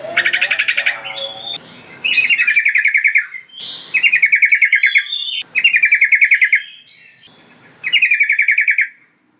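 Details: Calls of the sooty-headed bulbul (trucukan) meant to draw in wild bulbuls: repeated loud bursts of quick, buzzy chattering notes, five bouts in quick succession with short whistled slurs between them.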